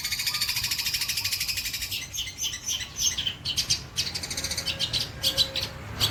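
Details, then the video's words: White-breasted long-tailed shrike singing as training material for songbirds. A fast, rattling stream of high pulsed notes comes first, then a broken run of harsh and sharp phrases with short tonal notes. Faint background hiss is also present. "CENDET DADA PUTIH MATERI MEWAH BOLO"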